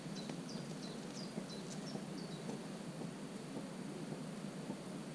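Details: Common cuckoo chick in a marsh warbler nest on 27 June, giving thin, high, downslurred squeaks repeated about three times a second. A steady low rumble of background noise runs underneath.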